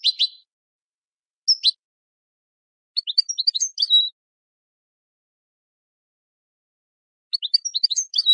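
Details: European goldfinch song for training birds: scattered high chirps followed by brief twittering bursts of quick notes, with long silent gaps between phrases.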